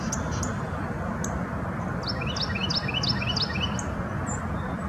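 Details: Carolina wren foraging at a farm in Hampton Roads, Virginia, in late February 2019, giving a rapid run of about a dozen sharp, high, descending notes over roughly two seconds, above heavy low rumbling background noise.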